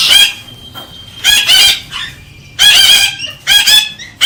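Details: Galah cockatoo stimulating the female: loud, rough screeches in four grouped bursts about a second apart, each harsh and broad, with a faint steady tone between them.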